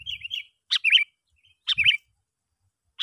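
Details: Sooty-headed bulbul calling, a sound used to lure other bulbuls: a soft wavering whistle, then two bright phrases of a sharp note and a bubbling warble about a second apart, with a low thump.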